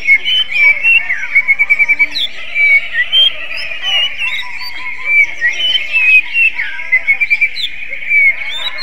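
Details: Greater green leafbird singing in an oriental magpie-robin-like manner; busy stream of short whistled notes and quick stuttering trills in bursts, some rapid clusters of five or six notes, with twittering underneath.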